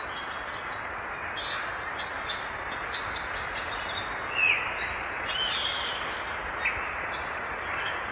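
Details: Violaceous euphonia singing: rapid series of high, bright chattered notes and short whistles, with scattered sharp descending chips, steady and busy over faint background hiss.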